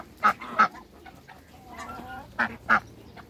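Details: Backyard Muscovy ducks, a pair housed with an African male: two short harsh quacking notes, a softer drawn-out nasal call in the middle, then two more short rasping notes, over a quiet background.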